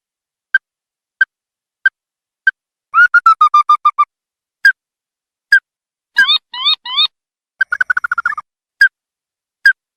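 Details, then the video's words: Ruddy-breasted crake calling: evenly spaced single ticks, interrupted by rapid chattering runs and a few quick upward-sweeping whistles, then a return to steady ticking. The background is silent. "Sound of Ruddy Breasted Crake"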